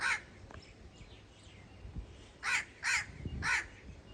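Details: Crow giving harsh, broad caws: one at the start, then three more in quick succession about half a second apart, over quiet outdoor background noise.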